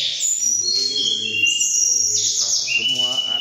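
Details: A blue flycatcher, one of several excited mountain birds competing in song after finding each other, pours out a fast, high, sweet warbling song in bright tumbling phrases, with faint low voices murmuring underneath.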